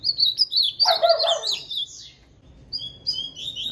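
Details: A male double-collared seedeater (bigodinho), recorded from far away, sings a fast run of high, sweet chirps and twittering notes, apparently challenging another male.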